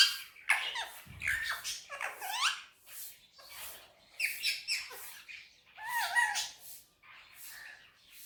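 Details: Indian ringneck parakeet talking Urdu/Hindi indoors on a table, fast sequences of chirpy, harmonic speech syllables with bending pitch, grouped in short bursts separated by brief silences.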